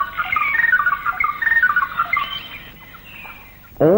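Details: In a Malayan rainforest, recorded in the late 1950s to early 1960s, a greater racket-tailed drongo of the jungle fringe gives a rapid run of clear, ringing, melodious whistled notes, skipping up and down for under three seconds, then a short loud sweeping note.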